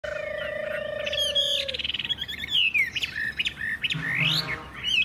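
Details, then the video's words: Captive Chinese hwamei in a loud song style known locally as "hót hét". A steady low tone holds for almost two seconds, then bright varied whistled phrases follow with rising and falling sweeps and harsher notes. "Họa mi hót hét tốt"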